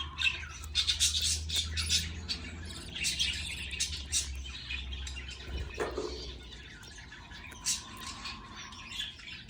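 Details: Budgie parent feeding its baby chicks; rapid scratchy chirps and squawks crowd the first seconds, then sparser harsh calls follow, with a low hum and a soft thump midway.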